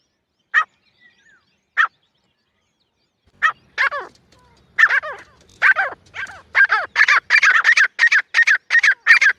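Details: Grey francolin calling in jungle: two isolated harsh notes, then an accelerating series of loud, grating, downslurred notes that becomes a fast, steady chatter toward the end.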